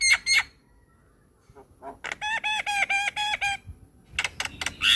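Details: White-eyed Javan myna song used as training material: a brief pause, then a rapid string of nasal, ringing notes followed by sharp chattering bursts.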